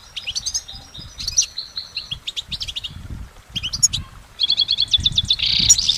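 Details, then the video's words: Goldfinch recorded in nature, singing at length: thin whistles and twitters, a pause, then a rapid run of repeated chirps ending in a coarse buzzy burst. "Exceptional recordings of the goldfinch in nature"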